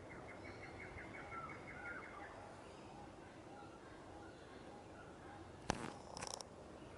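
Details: Noisy miner at Dundowran Beach, Queensland, Australia, giving a rapid, evenly repeated series of sharp mid-pitched notes for about two seconds over steady background noise, then a sharp knock and brief rustling.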